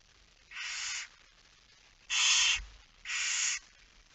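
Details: At the nest on a September night in 2019, a barn owl gives three rasping, noisy hisses of roughly half a second each, spaced about a second apart, during feeding at 22:45.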